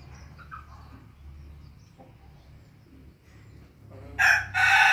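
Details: Pelung chicken, alongside a laughing chicken, in quiet surroundings with faint background noise, then bursting into a loud, harsh crow near the end.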